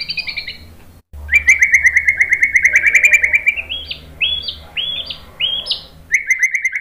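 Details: White-rumped shama training song: a high pulsing trill, a pause, then a long loud rattling trill gradually rising, followed by separate upward-sweeping whistles spaced about half a second apart.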